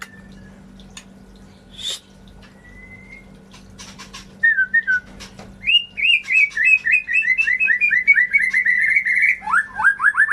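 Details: White-rumped shama song as a lure for silent birds: scattered clicks and a thin whistle first, then a quickening string of repeated whistled notes building into a dense rattling trill, with a faint steady hum.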